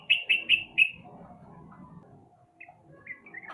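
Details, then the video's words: Lure recording of a sooty-headed bulbul meant to get a bird that rarely sings to start: four loud, sharp chirps in rapid succession, then a pause and a few softer, fainter notes. "pancingan trucuk malas bunyi"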